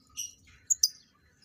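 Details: A lovebird in a breeding setup, during pairing for mating, gives a short high chirp, then two sharp piercing squeaks in quick succession before falling quiet.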